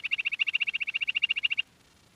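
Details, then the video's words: Quail call: a fast run of about twenty short, bright, high notes delivered evenly in under two seconds, then silence. "Queen quail sound || Lohari ka Awaaj"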